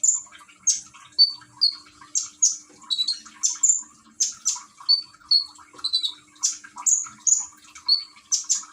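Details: Caged common iora in Gresik, East Java, Indonesia, filmed on an Android phone while splashing water plays as therapy to coax singing: loud high whistled notes and sharp chirps repeated about every half second over a low watery murmur.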